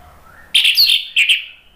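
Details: Orange-headed thrush used as a lure and therapy song for kept birds, delivering a loud, slurred, warbling phrase followed by a shorter chirped burst, with a fading whistle trailing off at the end.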